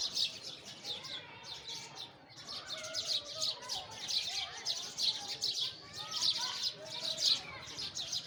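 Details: Lively sparrow chirping: bright, repeated high chirps in tight runs, with a short lull near the start and faint lower notes beneath.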